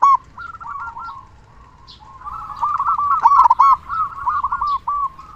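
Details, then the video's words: Local zebra dove singing often with a big voice, meant to lure and excite silent doves: a faint rolling coo sequence swells into louder, choppy trilled notes with a few clicks. "Perkutut Lokal Gacor Suara Besar Pancingan Burung Perkutut Agar Cepat Bunyi"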